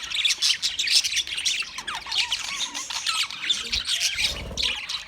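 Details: Noisy flock of wild budgies: overlapping high chirps and rasping squawks, with some clear, wavering warbled notes about halfway through and a brief low rumble near the end.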